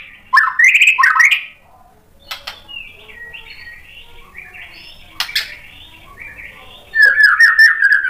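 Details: Shama provoked by a rival: a loud burst of rising whistled notes, then a long stretch of softer, distant warbling with a few sharp clicks, ending in a strong, fluttering whistled phrase.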